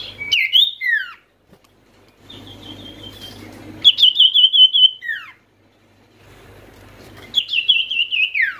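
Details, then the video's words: Common iora call used to prompt quiet or stressed birds into singing: a bright sweeping whistle, then buzzy trilled phrases held high and ending in a falling swoop, repeated three times with soft room hum between. "dengar pangilan SIRTU/CIPOH ini"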